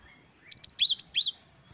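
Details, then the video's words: Great tit (gelatik batu wingko), singing actively in the 'wucit-wucit kristal' style: a short burst of high, thin two-note phrases, a sharp upper note dropping to a lower slurred one, repeated twice, with a quiet background. "Gelatik Batu Wingko Gacor | WUCIT2 KRISTAL | Great tit birds | Parus Major"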